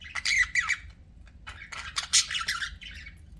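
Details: Pet budgerigars squawking and chirping in two raspy bursts of chatter separated by a short lull, the second burst longer with scratchy warbled notes; low background hum.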